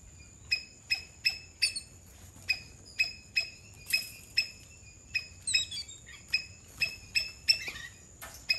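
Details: Two mynas in a backyard in Sri Lanka give a fast series of sharp, clicking chirps about twice a second, then a burst of harsher, jumbled squawks and whistles.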